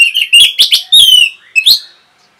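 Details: Quick, clear-toned Orange-headed thrush phrases, a rapid song played to provoke other birds: a sweet warbled run, a louder ringing downslurred note, then a short final flourish.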